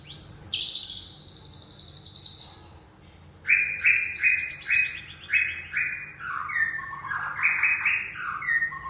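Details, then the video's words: A young white-rumped shama from the forest (murai aceh) gives a loud, sustained, high whistled note. After a brief pause comes a fast series of descending whistled phrases and rich warbling notes. "Murai aceh Muda Hutan"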